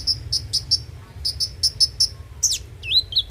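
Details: Van Hasselt's sunbird song for luring a bird into singing: evenly repeated high ticking chirps about five per second, then a sweeping descending squeal and two curling whistled notes, over faint low hum.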